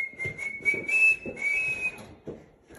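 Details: Hand-tamed rainbow lorikeet during training: a long level whistle that steps up slightly in pitch and then drops back, overlaid with loud gritty screech bursts in quick irregular succession, indoors.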